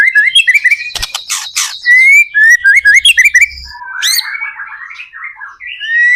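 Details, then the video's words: White-rumped shama singing, used as a lure to get other shamas singing: rapid chain of rising whistled notes and harsh rattling bursts, then softer warbled twitters and a closing upslurred whistle. "PANCINGAN murai batu gacor AMPUH BUAT MENDONGKRAK MURAI BATU MENJADI CEPAT BUNYI"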